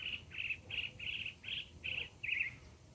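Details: Mockingbird singing, mimicking other sounds: a buzzy, mid-high note repeated seven times at a steady pace, roughly three per second, over soft low background rumble.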